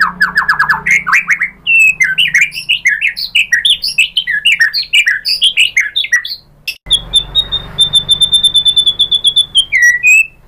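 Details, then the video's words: White-rumped shama song used to provoke other shamas to sing, full of mimicked phrases: quick stacked chips, then a busy run of varied slurred whistles, then a long high buzzy trill with sharp ticking notes, ending in whistles. "pancingan AMPUH ‼️ MURAI BATU manapun jadi NYAUT ikut GACOR BONGKAR MATERI ISIAN ¦ PANCINGAN MURAI"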